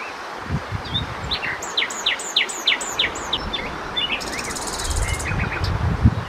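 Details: Common nightingale (Luscinia megarhynchos), one of a set of Czech bird songs, sings a run of six loud, rising whistled notes, then a dry buzzy trill and quick chirps over low rumbling background noise.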